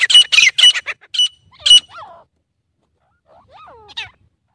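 Grey Francolin giving a burst of loud, harsh, high-pitched notes in quick succession, then a pause and a few fainter, sliding whistled notes.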